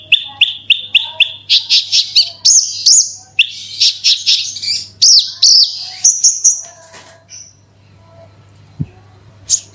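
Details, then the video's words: Branjangan (Horsfield's bush lark) lure song in 'gacor super roll tembak' style: a quick run of repeated chips, then rich rising and falling whistles and buzzes that fade to near silence, with a low hum throughout. "BRANJANGAN ANDA KURANG GACOR PANCING SUARA INI PASTI LANGSUNG IKUT BERKICAU"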